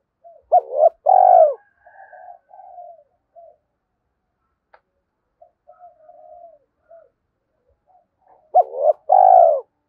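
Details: Spotted dove calling as a decoy to lure wild males. Loud paired coos open and close the recording, a short hook then a long throbbing drawn-out note. Faint soft cooing fragments fill the quiet middle.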